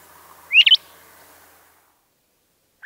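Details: LeConte's thrasher calling: one rising whistled note with a rapid stuttering tail, followed after about two seconds of silence by the start of another rising note.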